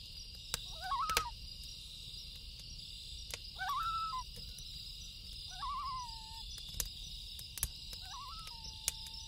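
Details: Loon calling at night: four wavering, pitch-bending phrases about two seconds apart, each rising, then dipping and settling into a held mellow tone, over a steady chorus of crickets and sharp crackles of a campfire.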